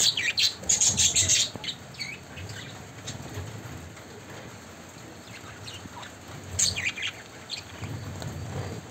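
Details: Budgerigars, including a yellow one, bathing and splashing in water, giving bursts of high, scratchy chirps and chatter with wing flutters and splashing between.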